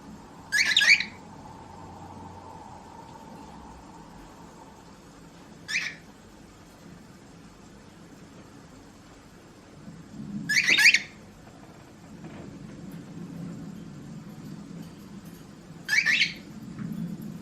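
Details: A pet cockatiel gives loud, shrill, screechy flock calls spaced roughly five seconds apart. Both sexes use these contact calls to check in with other cockatiels or with their owner.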